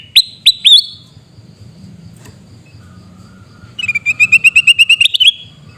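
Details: In Aceh's Pidie district, a sooty-headed bulbul gives three loud upswept chirps. After a pause comes a steady rattle of about a dozen rapid, harsh notes rising slightly toward the end.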